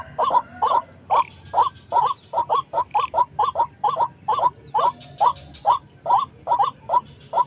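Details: White-breasted waterhen calling as a trapping lure around a village: crisp rising notes repeated over twice per second in a steady, insistent rhythm against faint hiss.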